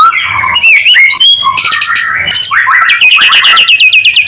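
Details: White-rumped shama lure song for prompting other shamas; short whistled phrases and slurred notes, then a burst of harsh chatter and a fast series of repeated clicking, whip-like notes near the end.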